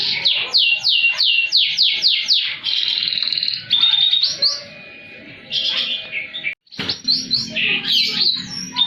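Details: Canary singing vigorously in the high-and-low style, used as a master recording to coax silent canaries into song: a run of quick repeated downslurred whistles, then steady trills and buzzy phrases, broken by a brief silence near the end.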